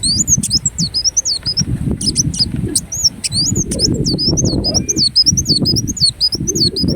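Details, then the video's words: Ruby-cheeked sunbird (kolibri wulung) of Indonesia singing a lively run of high, thin, rapidly swooping twitters and chips, almost continuous, with low rumbling noise underneath. "Kolibri Wulung Gacor Dorr Bocor Corr"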